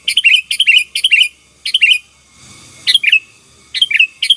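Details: Sooty-headed bulbul in energetic 'gacor' song used to overpower rivals: rapid bursts of bright, bubbly chirps repeated quickly in close runs, a short gap, then more clipped phrases; a faint steady whine runs underneath.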